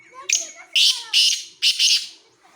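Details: Black francolin from Khushab gives its rasping call phrase: a short sharp note followed by three buzzy, scratchy bursts, the final one split in two. Soft lower whistles sound faintly in the background.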